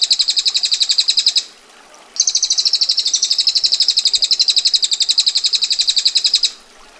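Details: Rapid, harsh ticking roll from a female bar-winged prinia in ngetir style: a short burst, a pause of under a second, then a sustained five-second rattle of tight, evenly spaced notes.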